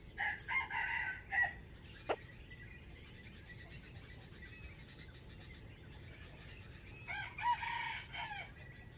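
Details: Wild chicken used to trap wild fowl, recorded 05/07/2025, crowing twice: a broken crow at the start, then a quieter gap with faint chirps of other birds, and a second crow near the end.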